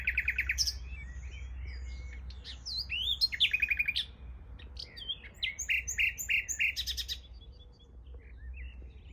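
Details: Nightingale singing beside a bike path: loud, varied phrases of clear whistles, rapid repeated chips and rattling trills, phrases separated by short pauses, steady low rumble underneath.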